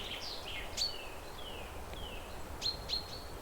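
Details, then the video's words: Birds chirping in a village, alongside a playful calf; thin whistled notes slide downward and a few sharp high chirps repeat irregularly over steady low background hiss. "the birds Relaxing chirping sounds in the Village"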